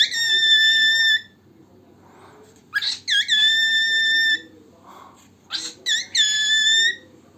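A male cockatiel sings long, clear whistled notes broken by short chattering bursts.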